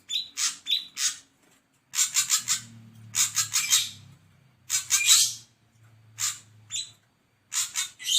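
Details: Ashy drongo uttering clusters of harsh, buzzy notes in quick groups of three or four, with gaps between clusters and a faint low hum behind.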